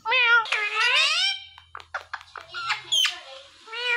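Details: Talking green Indian ringneck parakeet imitating a meow, a loud nasal wail, then short clicky chatter and fragments, and another meow-like call at the end.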